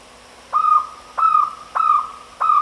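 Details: Jungle owlet calling: four short, clear hooting notes with a brief downward flick at the start of each, evenly spaced about 0.6 seconds apart, over a faint steady background hum.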